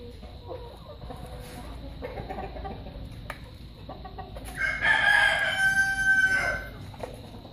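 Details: Buff Orpington chickens recorded on 01-12-15. Scattered soft clucks lead into one loud, harsh rooster crow lasting about two seconds near the end, with a high sustained middle section. A steady hum runs underneath.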